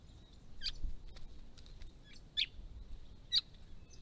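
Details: Sharp, loud chip notes from White-browed woodswallows, a big flock at a pond in December 2016, spaced irregularly roughly once a second with fainter chips between, over low background murmur.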